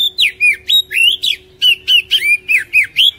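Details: Oriental magpie-robin song used as a daily lure for a lazy kacer: a lively stream of loud whistled notes, many falling or rising slurs, repeated roughly four per second with one short pause.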